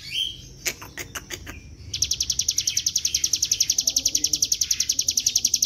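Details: Bar-winged prinia lure recording, local name ciblek gunung, for drawing birds to sing: a few scattered clicks and a short high note, then a fast, regular trill of sharp high notes for the final four seconds.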